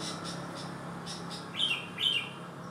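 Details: Sooty-headed bulbul with one abnormal leg, still singing actively. Two short, bright whistled phrases about half a second apart, each sliding downward, heard over steady background hiss and faint clicking.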